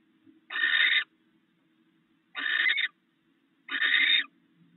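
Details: At a nest during the night or early morning, a barn owl pair shares rats the male brought in; three rasping, hissing bursts, each about half a second, spaced by pauses of one to one and a half seconds, over a soft steady hum.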